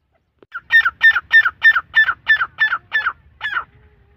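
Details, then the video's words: Iranian grey partridge calling: a rapid series of about ten harsh, rasping notes, steadily repeated roughly three times a second, each note buzzy and falling slightly, with the last note after a short pause; quiet low hum behind. "Irani teetar ki awaz"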